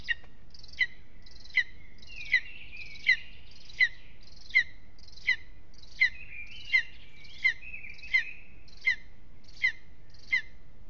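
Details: Lesser spotted eagle at its nest in Aizkuja, Latvia, on a restless evening: a steady run of sharp, high yelps, about one every second, with thinner wavering whistles between them.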